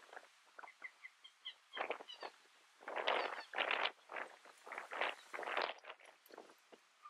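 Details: A Northern Jacana (Jacana spinosa violacea) in Imías, Cuba, August 2017, gives a few soft, quick clicks, then a run of harsh, rasping chatter notes, about two a second.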